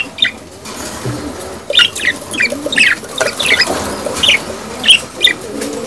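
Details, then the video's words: Budgerigar mating sounds said to speed up pairing and breeding: after a short quiet start, a series of quick high chirps and squeaks, spaced irregularly, with a low murmuring background. "أصوات تزاوج البادجي"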